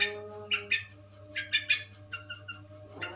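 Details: Long-tailed shrike singing its tembakan gereja style: sharp, bright chirping bursts in quick clusters of two or three, with short pauses between groups, over a steady low electrical hum.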